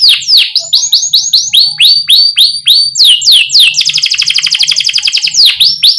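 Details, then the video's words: Canary song used to spur young canaries into singing: a series of loud falling whistled chirps, then a rapid buzzy roll, closing with more sharp downslurred notes. "Criit CUIT Cuit Kenari GACOR Ngerol Jeda Buat PANCINGAN Kenari PAUD Supaya Cepat BUNYI GACOR"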